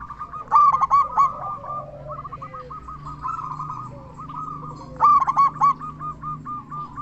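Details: Local zebra dove with a loud voice, sung to make other zebra doves sing: two emphatic bursts of quick ringing notes frame a long stretch of softer rolling coos, with a quieter lower bird behind.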